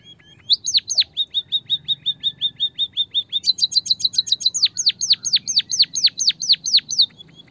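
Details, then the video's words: Emprit kaji, the white-headed munia of Java, in a recording for stimulating song. An even series of short, flat high chirps shifts into a brighter rapid trill, then into strongly downslurred whistles repeated several times a second. "pancingan emprit kaji malas bunyi biar gacor"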